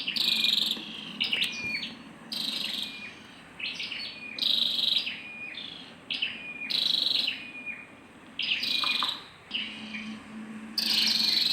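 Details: Female scarlet-backed flowerpecker calling: high thin notes around one pitch, short stepped whistles and brief buzzy bursts, repeated irregularly several times a second, with a low steady hum beneath.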